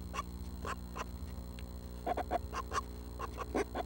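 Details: Seven baby Northern Flickers in their nest, early morning of June 12, shortly before fledging, uttering a handful of separate rasping bursts, some with tonal centres, against a droning low hum.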